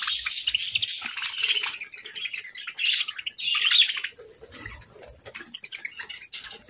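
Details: Breakfast-time chirping from pet parakeets, loud scratchy twitters in the first four seconds, then quieter, sparser chirps toward the end.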